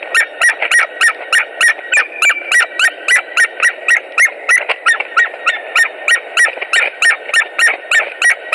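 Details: White-tailed eagles at a Latvian nest on 17 March 2018 around a mating attempt: fast, regular run of shrill yelping calls, roughly three per second, with a faint steady hum behind.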